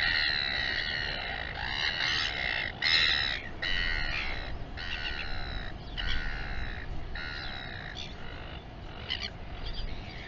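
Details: Royal albatross on the live camera at the Taiaroa Head colony near Dunedin, New Zealand: moderately distant, rasping, harmonic calls in short repeated bursts over a steady low background rumble.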